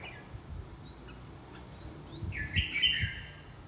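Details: Red-whiskered bulbul during fight training: a burst of bright chattering warble late in the clip, preceded by thin upslurred whistles from other birds and a few low knocks.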